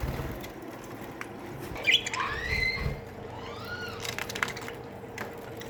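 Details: Aviary colony of budgerigars giving clear arched whistles that rise and fall, one long flat whistled note, and a brief harsh squawk, over a low steady hum.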